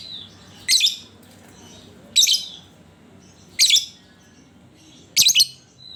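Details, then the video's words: Lovebird sounds used as a lure to prompt other lovebirds to sing: four short, harsh, buzzy chattering bursts about one and a half seconds apart, over a low steady background hum. "Panciangan Burung Lovebird"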